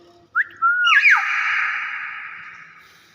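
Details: Common hill myna whistling: a short rising note, then a swooping slide into a long, loud, buzzy tone that slowly fades over about two seconds, in a quiet setting.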